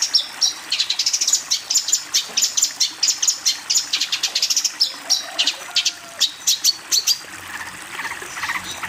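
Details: Training song of a long-tailed shrike for teaching young birds: a long, fast series of high, dry buzzy notes repeated about three to four times a second. The notes briefly loosen midway, then resume their steady chatter.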